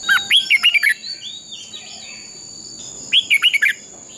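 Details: Red-whiskered bulbul in fighting-song training: two quick phrases of lilting whistled notes about three seconds apart, with soft distant chirping in between and a continuous high hum.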